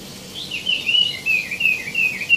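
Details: A tieumi, also called wambi mini, singing vigorously; a run of clear, high whistled notes that slide up and down in quick wavering phrases.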